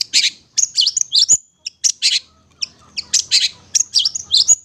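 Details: Long-tailed shrike song used as a lure: harsh scratchy bursts and thin high whistles in quick uneven groups, with short silent gaps between phrases.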